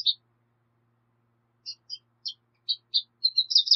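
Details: Sparse high chirps from a Black siskin, single notes spaced about a quarter second apart, building into a denser twittering burst at the end.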